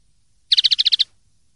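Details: Common linnet singing in the Spanish silvestrismo 'limpio' (clean) style: a quick run of eight bright, even twittering notes rattled off in about half a second, with a quiet background.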